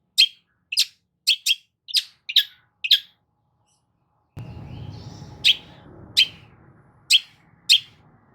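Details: Harsh, clipped shrieks from a long-tailed shrike, a lure for a bird that has stopped singing, come in a rapid series of eight. A short pause follows, then slower single notes over a rumbling background noise.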